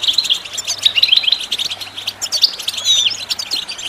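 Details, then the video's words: Goldfinch singing on a recording used to train songbirds: quick, tinkling high chirps in a bubbling stream, with a few thin drawn-out whistles near the end. "your goldfinch to sing"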